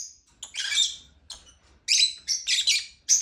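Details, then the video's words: Chirping lovebird with a few sharp, high squeaky calls followed by harsher buzzy chirps, in irregular bursts about every half second. "Lovebird chirping sound"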